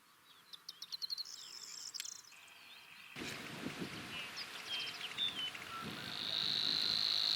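Savi's Warbler: a few dry ticking notes, then a sustained, even, insect-like buzzing reel. Brief whistles from other birds and background noise are heard in between.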